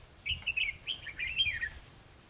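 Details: Red-whiskered bulbul singing a fighting song during trapping, 21 December 2015; a loud, continuous rollicking phrase of bright whistled and warbled notes lasting about one and a half seconds, then a spoken word.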